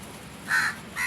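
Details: Crow uttering two quick, grating caws in close succession, the first louder and longer, with low background rumble.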